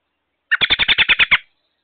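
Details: American robin, nesting and watched by a camera on May 22, on a very loud day, gives a rapid run of eight sharp, high chirping notes at about ten per second, lasting just under a second.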